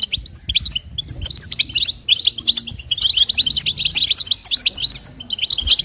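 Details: Female European goldfinch with 'batbata' and 'sitsita' calls to stimulate a male: halting high chirps at first, then a dense run of bright, buzzy twitters after a short pause.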